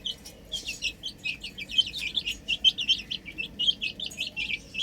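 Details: Young chicks at play on a rooftop: a dense stream of bright, high-pitched peeps repeated several times a second, many birds calling together.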